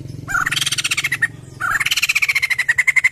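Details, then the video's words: Crested white-crested laughingthrush used as a lure to trigger other birds: two loud bursts of rapid, rattling chatter, pulsing about ten times a second and sliding down from a high start. "POKSAY GACOR!! AMPUH PANCING BUNYI POKSAY JAMBUL NGETEM"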